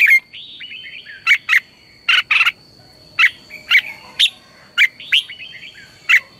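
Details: Red-whiskered bulbul lure song for morning training: bright, sharp whistled notes in pairs and singles, linked by softer warbled slurs, repeated about every half second to a second, over a steady high background tone.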